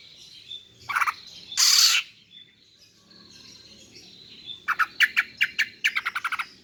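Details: Female greater green leafbird luring males with rasping calls: two harsh bursts, quiet buzzy notes, then a rapid series of about a dozen sharp stuttering ticks.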